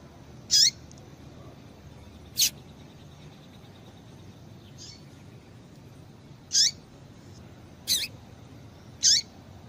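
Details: Calls of a female rusty-collared seedeater, used to get males singing: five short, high, squeaky chirps spaced irregularly, one to four seconds apart, against quiet low hiss.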